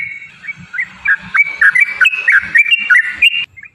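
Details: A yellow-vented bulbul gives a fast 'ropel' song, used to provoke other birds into song. Chattering, gurgling whistles tumble in quick succession over faint low noise, then stop abruptly near the end.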